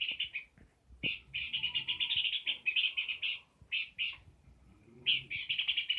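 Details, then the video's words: Peor bird delivering choppy, rapid chattering phrases, high and buzzy, in stop-start bursts with short silences between, plus a soft thud and faint background rustling. "Burung peor gacor"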